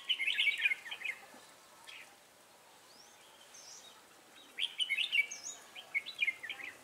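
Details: Lure red-whiskered bulbul singing during bird trapping at Ba Thá, 18 December 2016; two bursts of fast chattering warbles separated by a few seconds of near silence with faint thin notes.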